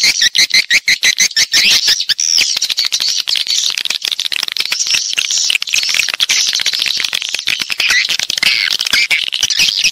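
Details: Swiftlets on a lure track for bird-house farming: fast, choppy bursts of high twittering, about two per second, over a steady wash of overlapping chirps.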